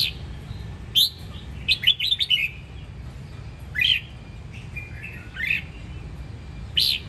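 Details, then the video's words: Red-whiskered bulbul from the Sông Kon area, Đông Giang, Quảng Nam, Vietnam, delivering clear warbled whistles in separate short phrases, a quick cluster near the start then single notes spaced a second or more apart, low background rumble. "Vẻ đẹp và sự cuốn hút của Chào mào Sông Kon, Đông Giang"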